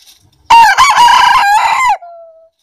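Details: Crowing from a domestic rooster, Aseel or black bantam, during a crowing contest between the two breeds: a single loud, harsh crow held level for about one and a half seconds, breaking once midway, then fading into a thin trailing whine.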